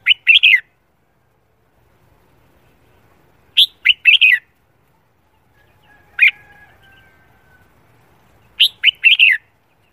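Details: Red-whiskered bulbul morning song, sung while training its voice for singing competitions: short bright chirpy phrases of three or four quick notes, repeated roughly every three seconds, with a faint low hum in the quiet gaps.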